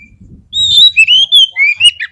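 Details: Fight-provoking lure song of the Oriental magpie-robin (kacer): a string of loud, clear whistled notes, some rising, some wavering, delivered in quick bursts over low rumbling background noise.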